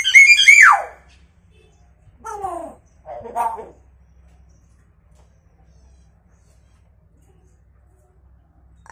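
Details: Caged hill myna giving chicken-like imitations: a strong whistled note falling sharply in pitch, then two shorter, rougher squawks a second apart, then long silence.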